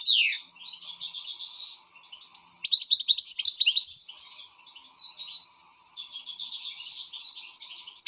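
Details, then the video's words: An excited European goldfinch repeats bursts of rattling trills separated by short lulls. A loud, jumbled stretch of tinkling twitters fills the middle of the phrase, with a steady low hum behind. "حسون هائج"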